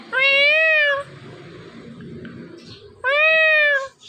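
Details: Indian ringneck parakeet kept as a pet, making morning voice imitations: two drawn-out, even, nasal meow-like tones about two seconds apart, rich in overtones, over a low indoor hum.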